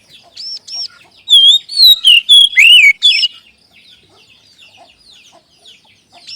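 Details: Kacer, the Oriental magpie-robin, in a lure recording meant to get other magpie-robins singing: a central burst of rich, loud warbled whistles with swooping and falling notes, preceded by paired arched high notes, then faint chatter.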